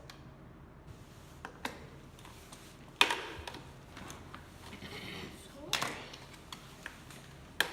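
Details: Indoor taps, clicks and handling knocks with faint murmured speech in a small room, with no animal voices.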